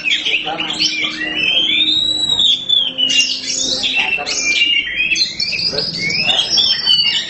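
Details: Black Oriental magpie-robin (kacer hitam) singing unabashed in gacor style, with a long arching whistle followed by rapid, varied warbles and chips, and a man's voice murmuring low behind.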